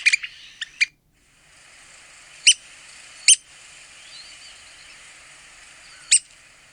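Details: Red-cockaded woodpecker giving short, harsh, raspy notes, first a quick cluster of four or five, then single sharp notes spaced about one to three seconds apart, against a faint steady background hiss.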